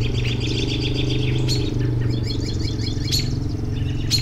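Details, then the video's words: Soft, high twittering from birds and a few sharp chips near the middle and end, heard under a loud, steady low hum, from a relaxing bird-sound recording. "10 Minutes of Bird Sounds for Relaxation"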